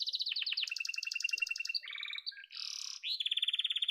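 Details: Song of a yellow domestic canary: fast stuttering trills at two pitches, a harsh buzzy passage, then a rising whistle leading into a steady bright trill.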